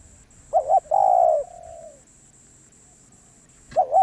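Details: Spotted dove delivering one full cooing phrase: two short notes, then a long coo that fades out gradually. A new phrase begins near the end, with a steady high whine in the background.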